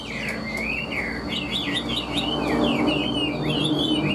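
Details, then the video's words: Chinese hwamei kept as a cage bird repeats rapid, zigzagging whistled phrases in a steady stream, loud and lively, with a low background hum. "Họat Họa Mi"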